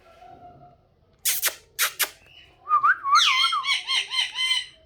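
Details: Pet parrot, possibly a talking bird, giving a few sharp clicks followed by a run of warbling, wavering whistled notes that rise and fall rapidly, in a quiet indoor setting.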